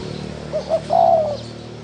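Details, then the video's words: Single 'thổ đồng' phrase from a spotted dove: two short soft notes, then one long, smooth, gently descending coo, over a constant low hum. "Tiếng chim cu gáy thổ đồng gù cực hay cực chất"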